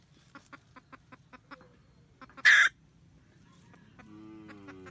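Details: Red junglefowl hen at her nest cackling for the male, 2020-2021. A long steady series of light clucks ends in one loud, ragged squawk, followed by a drawn-out tonal sound at the close.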